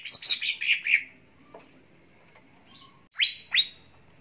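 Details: Greater green leafbird lure recording for caged birds. A short tumbling run of warbled, descending notes is followed by quiet, then two loud rising whistles.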